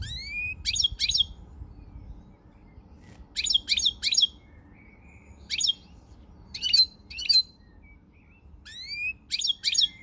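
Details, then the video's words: European goldfinch, 20 March 2020, pouring out high jangling twitters: upswept chirps leading into clustered bursts, repeated roughly every two to three seconds in an irregular rhythm, with light background hum. "Pirlitan Chardonneret, El jilguero, bird, cardellino pezzato GOLDFINCH SONG"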